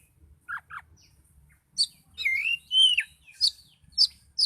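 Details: Agitated, chatty Oriental magpie-robin gives two low chips, then a run of sharp high notes and long slurred whistles rising and falling, with scattered bright calls to the end.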